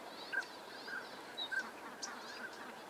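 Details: Northern pintails during courtship displays in Sacramento Valley, California, drakes showing off on water and in aerial chases; brief high clear whistled notes sound a few times over a steady murmuring background of many birds.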